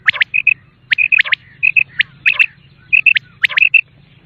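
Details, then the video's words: Quail lure sound of the common quail: dense, overlapping clipped triple notes repeating rapidly, loud and high-pitched, over a faint low hum. "بٹیر کی اواز 1 گھنٹے کی Quail Beautiful voice"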